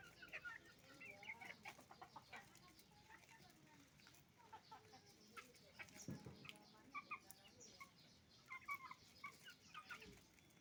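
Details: At a chicken farm, roosters and hens make noise while eating rice. A busy, overlapping chorus of clucks and short squawks goes on throughout, fairly distant, with some low background rumble.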